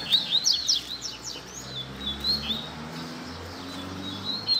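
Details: Double-collared seedeater baderna song played as a lesson for young birds. A few sharp high notes open the clip, then softer scattered whistles follow over a steady low hum.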